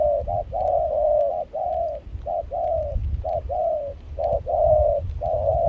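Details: Spotted dove singing in Kon Tum during rain and a cold wind, a continuous series of short and longer cooing notes at steady pitch, with constant low rumbling wind noise underneath.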